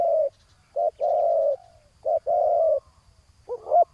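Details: Spotted dove calling at a ground decoy meant to lure a rival: short-long pairs of low husky coos, the long notes trailing off downward, ending with a sharper warbled note.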